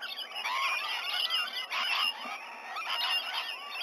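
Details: Rainbow lorikeets gathering in and around a White-bellied Sea-Eagle nesting tree at Sydney Olympic Park, Australia, just after 7 a.m. on 19 November 2020: a dense, continuous chorus of overlapping shrill screeches and chattering notes.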